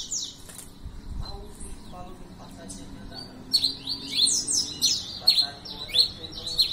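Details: Red-crested finch starting to sing after about three seconds of quiet faint background sounds, then delivering quick high downslurred chirps in a fast, uneven series.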